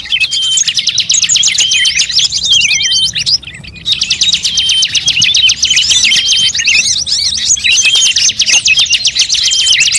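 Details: Bird-luring sound built from many species' voices. Long bursts of rapid, high-pitched trilling and chatter, broken by a brief near-silent gap around the middle, then resuming just as densely.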